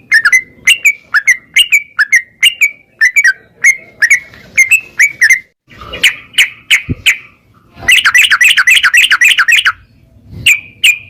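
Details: Yellow-vented bulbul singing gacor in ropel style, used to spur other birds into song: evenly spaced liquid chirps, a short silence, then a dense rapid burst of bubbling notes and a final chirp.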